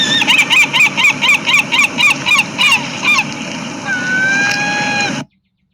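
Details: A herring gull gives its typical beach call: a rapid series of loud, nasal yelping notes, about four per second, ending in a longer drawn-out cry.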